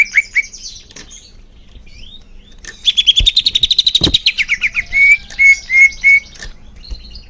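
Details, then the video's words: Greater green leafbird song for encouraging caged birds to sing: short whistles and slurs, then a quick rattling trill of about fifteen notes, ending in steady, evenly spaced pure whistles. A few soft thumps are heard. "Suara Cucak Hijau Biar cepat gancor"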